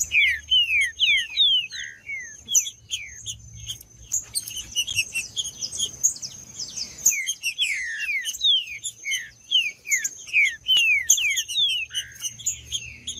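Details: Green-winged saltator singing in male fighting mode: rapid runs of bright, downward-sliding whistled notes, about two or three per second, with a quieter gap midway and a constant high-pitched whine behind.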